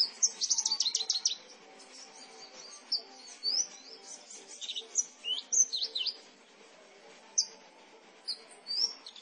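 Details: Javan bush lark of the parva form, seven months old, taken young from a rice field near Gantiwarno, Klaten, Central Java, singing persistently. High, fast jumble of twittering chirps and quick slurred whistles in bursts, separated by short pauses.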